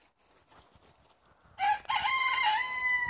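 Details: Crowing from a flock of 70 chickens let out for the day in Longford, Ireland, 25 February 2016: low background clucking, then a sudden strong, rich crow with a brief break, held and wavering to the end.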